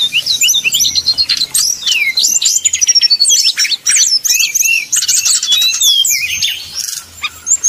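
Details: Sumatran red-crowned leafbirds in a contest fight, played to train a caged leafbird's nerve: nonstop high chattering song of swooping whistles, rapid chips and buzzy rattles, with a faint low hum beneath.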